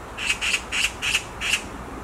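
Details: On a tree branch, a black magpie screams five times, coarse raspy notes spaced roughly a quarter second apart, steady and even.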